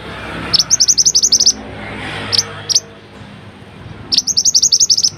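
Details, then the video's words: A fairywren delivers fast, high-pitched reeling trills of sharp, evenly spaced notes, one long burst, two single notes, then another rapid run after a brief pause, over quiet background. "Perbedaan Suara Dari 5 Jenis Burung Mantenan"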